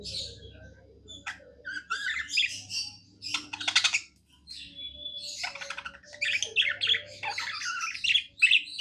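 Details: Pet budgerigar in happy song, a busy stream of chattering, buzzy and whistled notes with rasping bursts, nearly continuous with a brief pause midway; low background hum.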